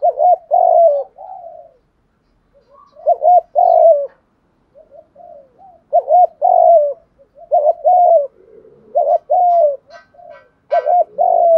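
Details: Decoy spotted dove coo, meant to lure doves in: a long run of repeated phrases, each a doubled short note plus a sustained falling coo, with soft lower notes between and a few faint high chirps near the end.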